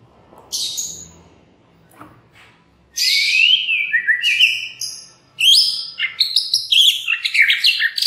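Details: A white-rumped shama's lure song for stirring other shamas into song. A quiet murmur opens, then loud rich phrases of descending whistles, fast chattering trills and high ringing notes, broken by a short pause.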